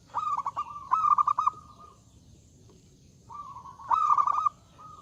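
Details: Loud perkutut (zebra dove) singing to challenge rivals into answering: two back-to-back stuttering coo phrases, a quiet gap, then a smooth drawn note leading into another rolled burst and a short closing tone.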